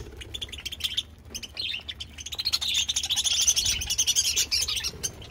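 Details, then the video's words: Pet budgerigars chirping: a dense, continuous stream of quick overlapping twittering and warbled notes, building in loudness midway, over a steady low background hum. "budgies chirping"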